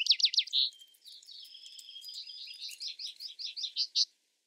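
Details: Vesper sparrow phrase: a few loud slurred notes and a clear whistle, then a long thin buzzy trill running into a string of quick, descending chips.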